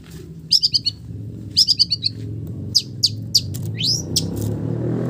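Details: Long-tailed shrike singing with imitated village bird phrases: two fast trilled bursts of high notes, then scattered sharp chips and a rising whistled sweep, over a steady low rumble.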